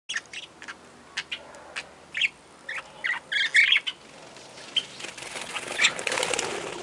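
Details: Catharina parakeet giving short, bright chirps in irregular bursts, becoming denser into a rapid chatter toward the end, over a steady background hiss.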